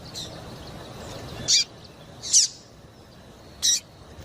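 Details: Female Double-collared Seedeater (Sporophila caerulescens, papa-capim) gives three short, high chips spaced unevenly about a second apart, over faint hiss; the call is used to excite and stimulate males to sing.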